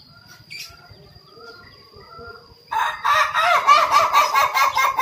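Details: Male Ayam Ketawa (laughing chicken) in its coop, trained for a long, continuous crow: faint soft notes, then a loud run of rapid pulsed syllables, about four per second, laugh-like and harsh, over a steady high whine.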